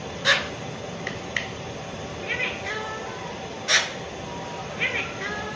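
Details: Pet Alexandrine parakeet talking indoors, imitating a cat's meow: short nasal harmonic meow-like calls spaced a second or more apart, two louder sharp ones standing out, over a steady background hum.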